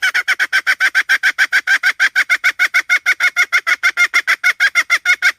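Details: Rapid, evenly spaced harsh notes from a hen, roughly three every second, loud and steady throughout without pause.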